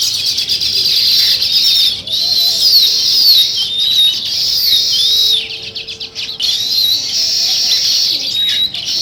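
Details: Many sparrows chirp together in the morning beside nest-building weaver birds, a steady wall of shrill twittering with a few short pauses and clearer rising squeaks.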